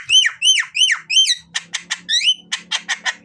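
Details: Javan myna song played as a lure to spur birds into song: four loud arched whistled squeals in a row, then a string of rasping chatter notes mixed with another squeal, over a soft low hum.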